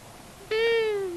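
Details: At a common buzzard nest in Tiszavasvári, Hungary, on March 23, 2022, a visiting long-eared owl, one of a male and female pair, gives a sustained nasal mewing wail with many overtones, slowly sliding downward, captured by a nest camera.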